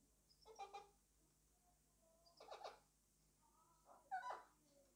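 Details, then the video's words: A pet male Alexandrine parakeet talks to his toy in a quiet room. He makes three short bursts of harsh, chattering, word-like sounds, spaced under two seconds apart, with some faint tonal notes between them. "Alexandrine parrot named Alex talking to his toy!"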